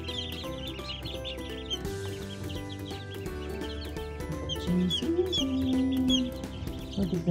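Newly hatched chicks give high, thin peeps, several each second, over steady background music and a man's voice.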